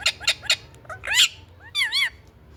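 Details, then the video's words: Indian ringneck parrot giving three quick harsh squawks, a louder screech, then two long wavering, arched shrieks. "BEAUTIFUL INDIAN RINGNECK PARROT"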